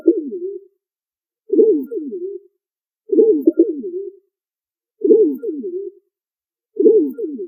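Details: Pigeon cooing in a steady series of five soft, low phrases, roughly one every one and a half seconds. Each opens with quick throbbing pulses and fades into a drawn-out purr, with nothing else audible.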